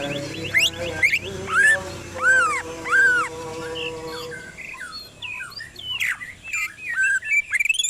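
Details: Greater green leafbird song played to provoke singing: repeated arched whistles, rising and falling, with harmonics, then a rapid jumble of varied chirps and short warbled notes.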